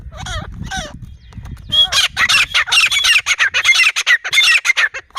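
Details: Grey francolin calling after a short stretch of human voice: a rapid run of harsh, squeaky notes, high and densely repeated, keeps going without pause to the end.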